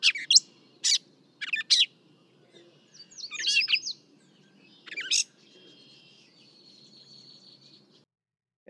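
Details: Gray Catbird recorded from 40 feet away with a microphone for comparison: varied short scratchy and squeaky phrases separated by brief pauses, with a thin sustained whistled tone near the end over faint low background hiss.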